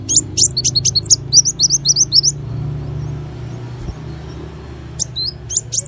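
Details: Small bird singing quick 'tembakan' phrases: about a dozen bright, slurred high chirps in a fast run, a long silent gap, then three more sharp notes at the end.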